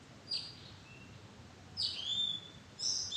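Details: In a madan tree arbor, an Oriental magpie-robin utters three short whistled phrases spaced about a second apart. Each opens with a sharp high note sliding downward, over quiet background hiss.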